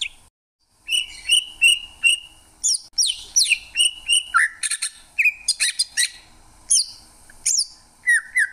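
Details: Greater green leafbird singing in short bursts: paired whistles, steep descending slurs, sharp high clicks and squeaky notes, separated by brief pauses, with a faint low hum in the background.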